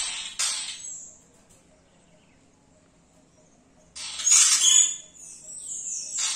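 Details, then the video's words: Yellow-rumped cacique imitating other sounds in its song: a loud raspy burst, a long silence, then a dense jumble of harsh chatters, squeaks and high whistled slurs. "Xexéu cantando imitando!"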